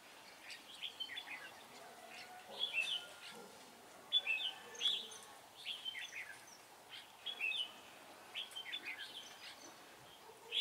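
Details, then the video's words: Decoy red-whiskered bulbul used in trapping wild birds, delivering a series of quick, lively warbled phrases of sweet slurred notes with brief pauses between them, against a low hissing background. "Bẫy chào mào Mồi diễn hơi sâu"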